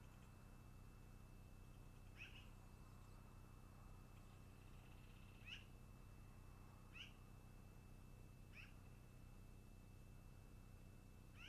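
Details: Long-eared owl at the nest in early afternoon: four short, squeaky, downward-slurred calls spaced a few seconds apart, over a steady high electrical whine and low rumble.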